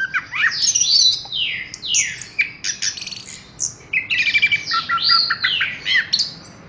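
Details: Song of a caged Horsfield's bush lark: sweeping downslurred whistles, clicking rattles and buzzy trills run together in a fast continuous stream, with short gaps between bursts.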